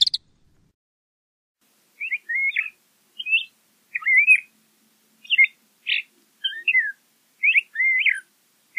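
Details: LeConte's thrasher song: a string of varied short phrases, whistled slurs and chirps, delivered in separate bursts after a quiet first two seconds, with brief gaps between notes.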